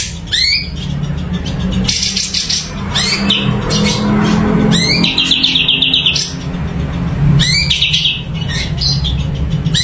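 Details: Sumatran leafbird (cucak cungko) in full song, mixing quick upward sweeps, noisy chattering bursts and one rapid trill, with a persistent low-pitched hum behind.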